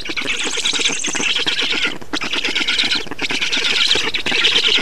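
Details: Black storks being fed at the nest in Estonia, 6 June 2019: grating, pulsed rasping calls in two or three bursts split by brief gaps, with a faint high chirping from another bird at the start.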